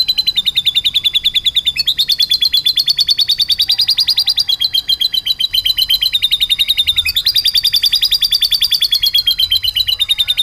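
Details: Canary singing vigorously in a rolling style that carries lovebird-like material: fast, buzzy trilled notes repeated in long runs, shifting pitch in steps several times and ending in a slightly lower trill.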